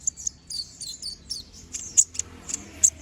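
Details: Konin (brown-throated sunbird) singing a lively ngobra song with sharp shots: a quick high thin trill, then bright, piercing single chips roughly every third of a second, against a quiet background.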